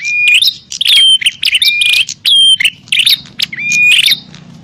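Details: Energetic bar-winged prinia fighting call to lure wild birds, with harsh buzzy bursts, clear rising whistles and high piping slurs in close, irregular succession.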